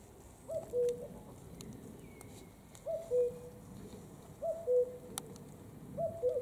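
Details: Common cuckoo song: four clear falling two-note 'cu-coo' phrases, repeated about every one and a half seconds, with faint thin bird calls and soft rustling behind.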